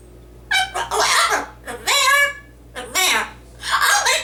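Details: Male yellow-naped amazon parrot kept as a pet, talking in a shrill, human-like voice, four phrases of clipped syllables, one with a strained rising-falling tone, recorded indoors with no other sounds.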